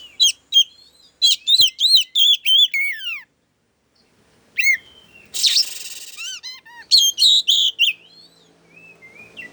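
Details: Oriental magpie-robin, agitated song used to provoke other birds: loud bursts of high whistled and chattering notes, sweeping up and down, in phrases separated by short pauses, with one harsh noisy burst midway.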